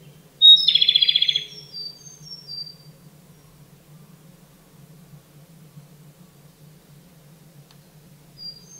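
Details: Japanese Robin (Larvivora akahige) song: one high, thin introductory note dropping into a fast, loud rattling trill lasting about a second, then a few soft notes over a low steady hum.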